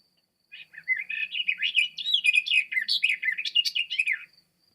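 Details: Garden Warbler song, described as somewhat monotonous, low-pitched and slightly nasal, played for comparison with blackcap: a steady, even, continuous warbling babble of rapid notes lasting about four seconds.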